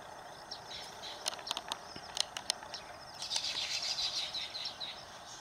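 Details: Baya weaver recorded at Phaltan, Satara, Maharashtra, India: bursts of thin, high chirps and sharp ticks for the first three seconds, then a denser, continuous twittering chatter, with faint rural background noise.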